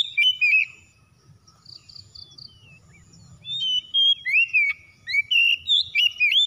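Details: White-rumped shama kept at home, singing as a lure: a loud whistled burst, a quiet pause with soft repeated chirps, then a fast run of loud warbling, slurred whistles.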